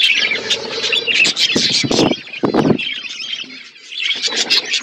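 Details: Budgies in a flock at winter food, high chirruping chatter broken by low thumping flutters and rustles, then more scattered warbling chirps.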